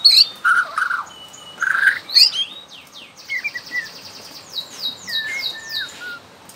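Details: Young wild Bornean white-rumped shama used as a song prompt for other shamas; short whistled notes and sharp high chips, with rapid descending high sweeps in a repeated series, separated by brief pauses.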